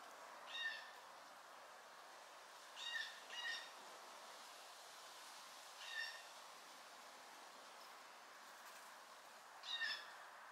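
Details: Curious blue jay fledglings foraging, giving short, harsh, nasal calls with layered harmonics; five calls over ten seconds, a pair close together early on, separated by long pauses with steady background hiss.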